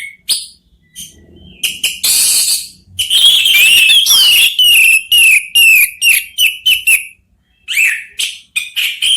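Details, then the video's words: Three Orange-headed thrushes answer one another. After scattered sharp clicks, a loud, rich run of whistled phrases comes at about 3 seconds. It slurs around a steady pitch, then breaks into quick, choppy bursts with short gaps. "3 ANIS MERAH BERSAHUTAN"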